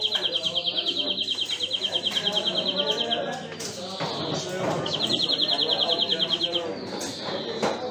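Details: Greenfinch singing two long, rapid, buzzy trills on one high pitch with a gap between, set against a busy background of low murmuring sounds.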